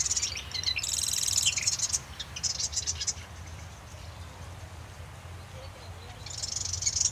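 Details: Marsh wren: a loud, dry rattling trill at the start, a shorter burst in the middle and another trill at the end, all high-pitched and mechanical, over a low background hum.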